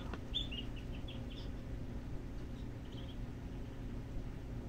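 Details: At feeding time in Boca Raton, Florida, USA, thirteen black-bellied whistling duck chicks give a quick run of thin, high peeps early on, then fall mostly quiet against a low background hum.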